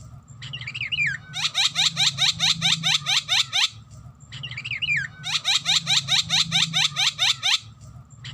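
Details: Javan myna song played to draw out other songbirds. A short warbled twist leads into a fast, even string of bright upslurred chirps. The phrase comes twice, separated by a brief pause, with a faint low hum underneath.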